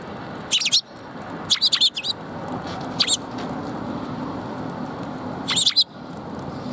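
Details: Sparrows at a Tenmangu shrine, recorded 2 March 2021: short, high, bright chirps given singly and in quick clusters of two to four, spaced over several seconds, over a steady low background hum.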